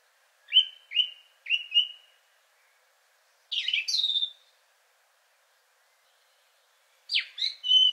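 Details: Song Thrush, third male, richer in some sounds resembling a nightingale: a whistled note given three times, a harsher buzzy double phrase, silence, then a closing phrase of sharp notes.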